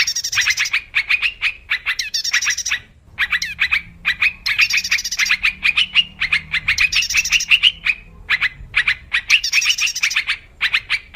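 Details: Lure song of a wild yellow-vented bulbul for bird trapping, a continuous stream of quick liquid chirps and short rattling trills grouped into phrases, pausing briefly near the three-second mark.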